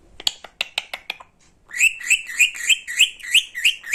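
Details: Pet talkative parrot: a quick run of sharp clicks and short chirps, a brief pause, then a steady series of rising nasal chirps, about three each second, with no other sounds.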